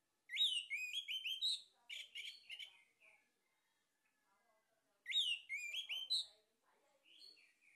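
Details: Male orange-headed thrush song played as a lure to stimulate singing: two bursts of rich, rapid whistled phrases with sharp upward notes, separated by a quiet pause with soft twitters.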